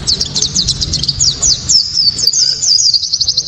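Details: Japanese white-eye delivering its sharp, clear provoking song: dense run of high rapid chirps, then a thin rising and falling twitter trailing off into quick repeated notes, over low background noise.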